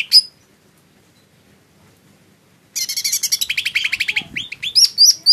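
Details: Lesser green leafbird song: a brief high note, then near silence for over two seconds before a rapid, dense run of high chattering and buzzy notes with some whistled upslurs at the end.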